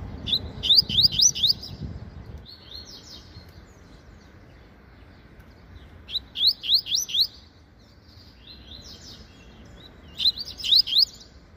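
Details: Double-collared Seedeater, a caged bird sunbathing in the morning, singing a half song: short bursts of quick, high, upslurred chirps and twitters, a phrase roughly every four seconds, over faint low background noise.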